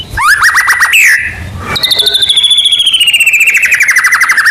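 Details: Medan-type white-rumped shama singing strongly, used as a lure for other birds: quick rising whistled notes, a brief noisy pause, then a long fast trill that slides gradually downward.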